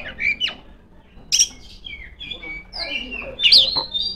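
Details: Female Oriental magpie-robin calling rivals in ngeplong song: scattered sweet whistles, some held and level, broken by short sharp squeaks, ending on a strong, rising, ringing note.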